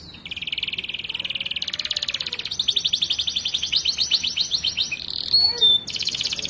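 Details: Canary, a young bird already singing actively, in a long master recording for training: a steady buzzy trill runs into faster pulsed trills, then brief clear whistles, then a high rapid trill.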